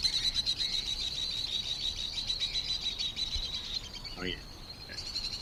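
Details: Shrill, high chattering of White-throated Swifts calling from inside a bridge: a continuous run of rapid thin trills and twitters that fades near the end, with a brief lower sliding note and light background noise.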